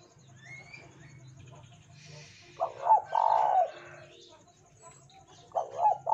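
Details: A spotted dove sings to lure other doves: low hum and a hiss first, then a stuttering coo with a long husky note, and another phrase starting at the end.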